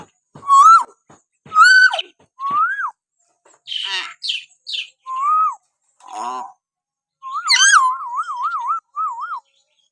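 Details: Common hill myna whistles used as training sound to provoke pet mynas: clear rising-falling whistled notes, a few buzzy squawks, then a long rapidly wavering warbled whistle, calls spaced roughly a second apart.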